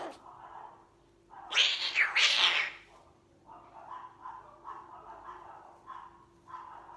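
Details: Cat-like voice of a young blue-eyed white umbrella cockatoo, a pet adopted in 2020: two loud, rasping screeches, then a run of soft, nasal mewing notes repeated roughly twice a second.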